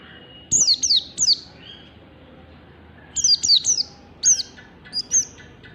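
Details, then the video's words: White-eye (pleci), a morning master recording for teaching pet birds to sing in the ngalas style: high, thin, sharply falling whistled notes in quick bursts of two or three, two phrases split by a pause of about a second, over faint steady hiss. "Masteran pleci pagi hari positif nyaut cepat gacor"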